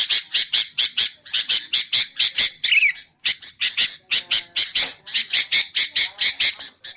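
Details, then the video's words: Sooty-headed bulbul recording for luring bulbuls and training songbirds. Harsh, buzzy notes come in rapid clusters of three or four. A louder downslurred note breaks the series, followed by a short gap. "BURUNG KUTILANG untuk ocehan mantab"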